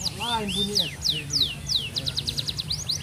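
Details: A contest-proven F1 canary, nearing moult, sings 'speed rapat': a low warbled phrase, long downward-sliding whistles, then a quick run of short high pulses.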